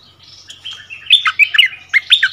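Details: Bulbul, a decoy bird brought back to its former territory on 3 February 2021, duelling in song with a new resident bird: loud, rich warbled phrases with quick slurred, bubbling notes, building into stronger bursts near the end.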